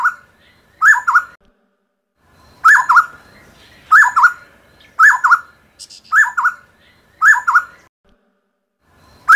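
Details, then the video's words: Endemic Taiwanese black-necklaced scimitar babbler of low mountain scrub and grassland repeats a mellow, hollow double note, up then down, about once a second, with a gap near the start and soft high twitters in the background. "大彎嘴(大彎嘴鶥)/Black-necklaced Scimitar-Babbler"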